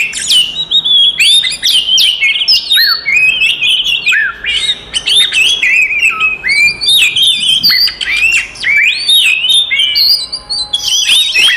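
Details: Oriental magpie-robin in fighting song used to rile rival magpie-robins: a continuous, dense stream of high whistles, slurred sweeps, harsh squawky notes and quick chirps, barely pausing throughout.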